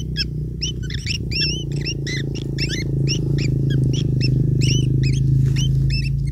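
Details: Long-tailed shrike chicks begging while being fed by their parent: rapid, squeaky two-part notes repeated several times a second over a steady low hum.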